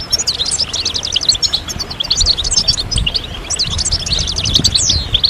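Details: Several European goldfinches in a collective song of 'sitsita' and 'bitbita' notes, played to push birds out of moult quickly. Fast liquid twitters and sharp chirps overlap, one clear descending note near the end.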